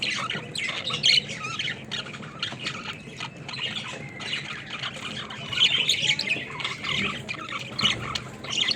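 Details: Caged budgerigar flock at play, a steady mix of scratchy chirps and squawks from several birds, with soft background noise underneath.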